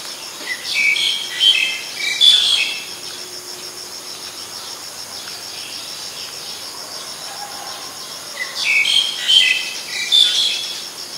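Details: Black-collared Starling, Ubon Ratchathani, Thailand, 10 February 2023: two loud bouts of grating, squeaky chatter with piercing whistled notes, separated by about six seconds of only a high insect hum.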